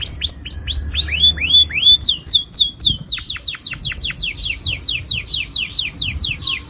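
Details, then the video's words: Long rolling canary song meant to prompt juvenile canaries to sing: quick trains of high curved chirps that change pace and pitch, from slower sweeping notes to a fast, dense, even trill. "Pancingan kenari gacor NGEROL PANJANG AMPUH cocok bikin BURUNG KENARI PAUD GACOR LANGSUNG"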